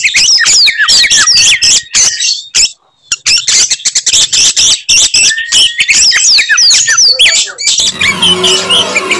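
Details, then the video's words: Oriental magpie-robin singing in a fighting, provoking mood meant to anger other birds: dense loud bursts of sharp whistles, rapid chattering notes and upward-flicking calls high in pitch, with a brief gap near three seconds and a harsh noisy burst at the end. "kacer gacor tarung bongkar materi tembakan khas bikin kacer lain NGAMUK dan EMOSI"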